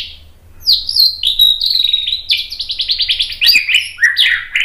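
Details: Provoking song of a white-rumped shama, meant to stir other shamas into replying and showing their learned repertoire: a rapid run of bright varied whistles and a fast repeated chattering series, with no other sounds.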